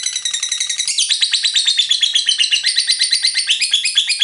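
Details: Lovebird in the long chattering ngekek panjang style, played as a lure to get other lovebirds singing: a fast, buzzy, high chatter of evenly pulsed notes, about eight per second, running without a break.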